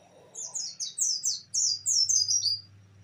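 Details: Oriental white-eye in the fast 'nembak' song style: a rapid run of high, sweet, descending slurred notes that grows louder, with a steady low hum behind it.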